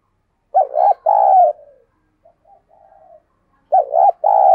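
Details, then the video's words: Caged spotted dove decoy giving forceful 'gáy sung' coos to stimulate newly caught birds: a quick double coo followed by a drawn-out note, soft low muttering, then the phrase begins again. "Tiếng Thúc Chim CU Gáy Sung - Kích Bổi Nhanh Nổi"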